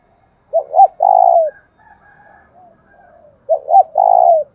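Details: Low, mellow cooing of a spotted dove calling to stimulate another dove: two phrases about three seconds apart, each a pair of clipped notes followed by a drawn-out coo that falls away, with soft quiet murmurs in the gap.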